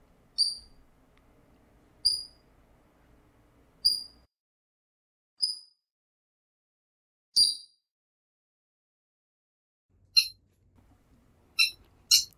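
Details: Eurasian coot, possibly giving a call used in danger to lure enemies away from chicks, makes sharp, high, clipped notes about every two seconds, then a quicker cluster of three at the end; the background is otherwise quiet.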